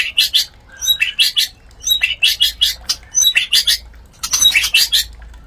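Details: Mating sound of a white-rumped shama, played to spur breeding readiness: clusters of loud buzzy chirps in bursts about a second apart, with a few thin high whistles between.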